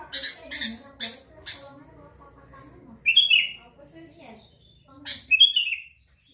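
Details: Sooty-headed bulbul: a few short scratchy notes, then two bright whistled phrases about two seconds apart, each sliding up and dropping away in a liquid warble, over faint low murmuring.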